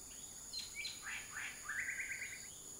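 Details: Common flameback in Huai Kha Khaeng Wildlife Sanctuary, Thailand: a few scratchy, harsh notes followed by a rapid dry rattling series, with a steady high insect hum running behind.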